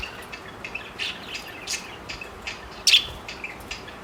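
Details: Four pet parakeets chatter while flirting, in quick high chirps and squeaky twitters several times a second, with one louder sharp squawk partway through.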